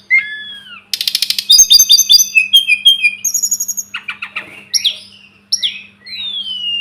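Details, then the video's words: Sunda robin, called tledekan gunung or sulingan gunung, singing a masteran sequence: a slurred opening whistle, a rich fast twittering medley, then separate high downslurred whistles with brief gaps. A faint hum is audible. "Masteran burung tledekan gunung || burung sulingan gunung"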